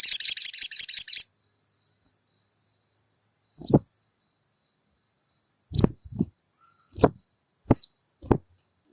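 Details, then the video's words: Crimson sunbird song for provoking a caged bird to sing: a fast, high, buzzy rattle of repeated chirps lasting just over a second, followed by quiet gaps broken by sharp knocking sounds. "MASTERAN SOGON GACOR PENJEBOL EMOSI SOGON MACET BUNYI"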